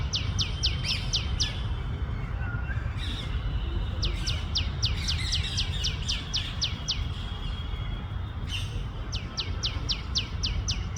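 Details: Tiny tailorbird in India giving loud chirps: sharp downward-sweeping notes in fast runs of six to eight, about four per second, pausing between bursts, over steady low rumble.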